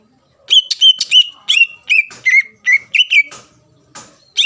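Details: Greater green leafbird in captivity singing to provoke an opponent into calling: a string of clear whistled notes, each dropping then leveling, given at a fast uneven pace after a brief silent start.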